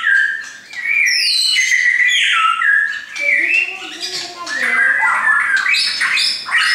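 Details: Kept shamas, brought along by their owner, sing loud rich whistled phrases that slide up and down. Clear fluting notes alternate with lower warbling runs and sharper high squeaks, continuous throughout.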